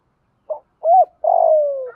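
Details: Cooing phrase of a spotted dove, played to train a decoy bird: a brief opening note, an arched coo, then a long coo falling steadily in pitch, ending with a faint higher note.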